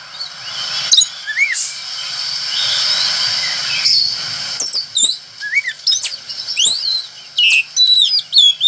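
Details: Oriental magpie-robin singing in a lively, energetic style: sharp whistled upslurs and downslurs, loud clipped chirps and buzzy notes in bursts, over a steady high hiss and faint low rumble.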